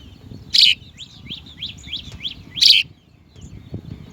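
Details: House sparrow young at the nest giving a rapid run of short, high chirps, each slightly downslurred, about a dozen in quick succession, broken by two loud, harsh bursts and low background rumble.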